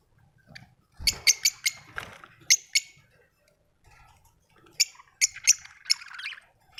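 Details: Budgie giving sharp, clicky chirps and short squeaks in spaced bursts with silent gaps, some notes ringing high and thin, a few soft thumps underneath.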